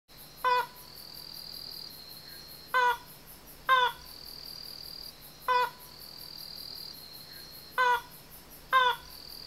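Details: Wild banded crake calling from a dark thicket on Yonaguni Island, Japan, after an hour's wait: short, nasal, harmonic notes repeated at uneven intervals of one to two seconds, six calls in all, over a steady high insect drone.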